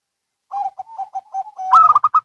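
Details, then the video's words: A zebra dove exchange between local and Bangkok birds. A soft stuttering run of low coos gives way to a loud quick burst of higher, ringing staccato notes. "Perkutut Lokal & Bangkok Bunyi Saling Bersahutan"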